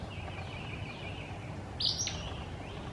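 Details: A male Acadian flycatcher in Liberty County, Texas, on May 6, 2017, gives one sharp, high, explosive note with a quick thin follow-up near the end. A faint wavering hum and low rumble run underneath.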